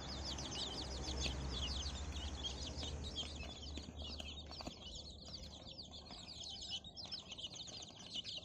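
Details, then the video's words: Many free-range chicks of Bangkok and village breeds, newly separated from their mother hen, cheeping rapidly and continuously, around two or three calls a second, with a low hum and occasional rustling. "anakan ayam kampung"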